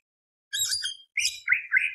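A greater green leafbird gives two quick bursts of dense, high chattering notes, then a pair of slurred, rolling whistles, all within two seconds.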